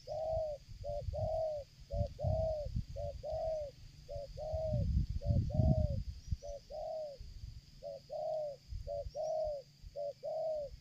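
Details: Spotted dove cooing persistently as it approaches from a distance during luring; paired notes, a brief one then a longer rounded coo, repeated about every second over a steady low rumble and thumping background noise.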